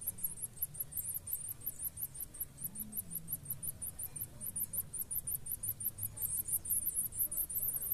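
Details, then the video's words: Chicks of a blue-black grassquit pair, tended and fed by both parents, give a long, steady stream of shrill, very high squeaks, about four per second, continuing throughout over a quiet low hum. "Tuziu - Pássaros alimentando seus filhotes."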